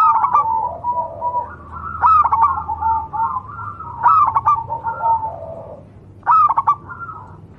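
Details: Wild local zebra dove, Javan perkutut, recorded for training other doves: repeated bursts of quick staccato coos every two seconds or so, overlapping with softer rolling cooing phrases, giving a busy, layered chorus.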